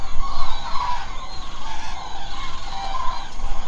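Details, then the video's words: Massed common cranes calling at night from their roost in Israel's Hula Nature Reserve marshes, with loud rolling trumpet notes layered into a thick chorus and a low background drone. "How many canes עגורים do you think are in the Hula Nature Reserve tonight?"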